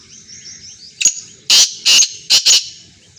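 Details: Black francolin calling: a short grating phrase of harsh, loud, buzzy notes, four strong bursts in quick succession after a faint opening note, with soft background chirping.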